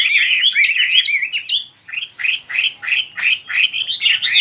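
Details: Bird song of rapid chirped and warbled notes around the upper-middle range, a dense run of slurred phrases followed by a series of separate rising-falling notes at roughly three per second, with a steady faint hum behind.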